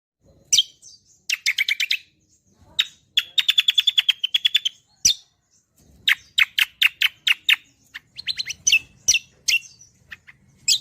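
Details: Greater green leafbird (cucak kombo) singing in fast gacoran style, used as a master song for training songbirds: bursts of rapid chirps and buzzy trills, a sustained rattling run, sharp whistled notes, with a faint low rumble beneath.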